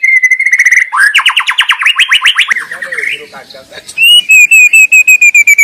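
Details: White-rumped shama in the wild with a varied song: a fast trill on one pitch, a rising series of rapid buzzy notes, a lower warble, then sharp high whistles repeated in quick succession.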